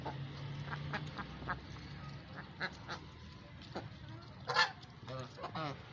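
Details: Domestic ducks (Anas platyrhynchos domesticus) feeding at home alongside geese give scattered short, harsh quacks, with louder nasal calls near the end, possibly mixed with geese, over a steady low hum.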